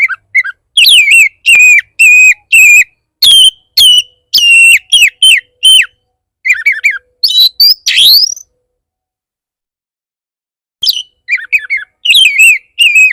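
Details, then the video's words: Oriental magpie-robin in 'bar bar' style song, used as a lure to make other magpie-robins answer and sing: loud, clear whistled phrases with rising and falling notes, quick sharp chips and a long pause before the phrases resume. "Pancingan burung kacer bar bar naik pitam kacer lain"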